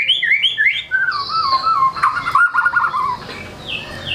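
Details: White-rumped shama performing its repertoire to spur reluctant shamas: twittering high notes, then a low warbled trill with rapid ripples and faint high whistles fading at the end.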